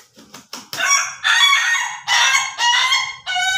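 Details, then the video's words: Ayam Ketawa rooster giving its laughing crow: several quick clipped notes lead into a long series of loud, rough, harmonic phrases broken by brief gaps. "AYAM KETAWA SLOW VS AYAM KETAWA DURASI"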